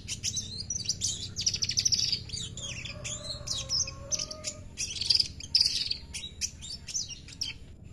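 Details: Weaver singing loudly, a dense run of high, buzzy, scratchy chirps and rattles in irregular bursts, with a faint low tone drifting in the middle and a soft background hum.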